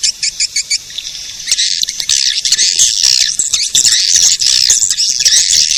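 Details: Lure call to draw in edible-nest swiftlets: a few evenly spaced high chirps open, then the sound thickens into a loud, continuous buzzy twittering chatter.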